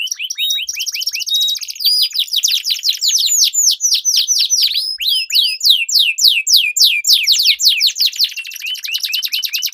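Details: Canaries singing in a duel as a lure to train competition birds: an opening buzzy trill, then long runs of rapid descending whistled notes, several birds overlapping throughout.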